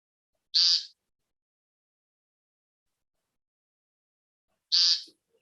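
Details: A male American woodcock (Scolopax minor) on the ground in the northeastern USA gives two harsh, nasal, buzzy peent calls about four seconds apart as part of his courtship display, spinning in a circle; biologists listen for this call during monitoring.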